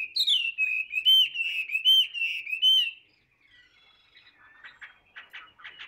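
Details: Hand-tamed Chinese hwamei in a cage, a prolific singer, gives loud looping whistles and repeated bright phrases for three seconds, then softer scratchy notes trailing off.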